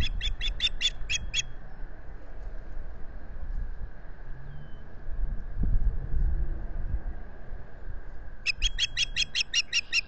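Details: Osprey at a nest in the US Finger Lakes, 25 April 2022, solar nest camera recording: a rapid series of six piping cheeps, a long windy pause with a thump, then another longer burst of chirps.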